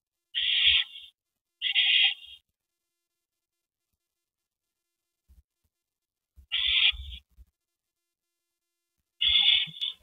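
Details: Owl at the nest as a rabbit is brought to its mate, April 19, 2012, evening: four short, harsh, hissing screeches in two pairs, with a long silence in the middle and faint thumps.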